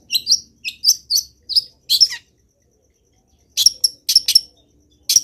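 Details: Lively Long-tailed shrike song rich in fill-in phrases, meant to train other shrikes: a run of crisp, high, clipped notes followed by a scratchy flourish, a silent gap, then another fast series of sharp chattered notes.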